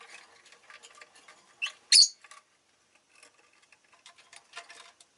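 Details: Several pet rosy-faced lovebirds (Agapornis roseicollis), all calling fairly often that day; two short shrill chirps, the second louder and buzzier, amid soft clicks and rustling.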